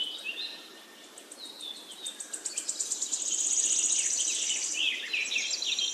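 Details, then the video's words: Bird chirping over a quick, evenly pulsed high ticking, with short bright twittered phrases growing busier and louder toward the end against constant background hiss. "Beautiful Bird chirping sound"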